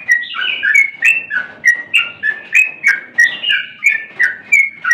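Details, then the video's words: Energetic yellow-vented bulbul in full song: steady, bouncy phrases of liquid, chirping notes, repeated about three times a second without pause. "suara burung Trucukan sedang gacor"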